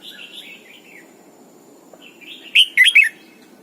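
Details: Red-whiskered bulbul decoy bird in morning song, the double-note wild-bird style used for training; soft warbling early, then a loud quick phrase of about four whistled, slurred notes near the end.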